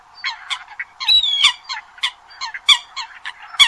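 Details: Eurasian coot recording from the 2020-2021 season, used as a hunting lure: rapid series of short harsh honking and squeaky calls, irregular and overlapping, several notes per second, with brief shrill upslurred whistles.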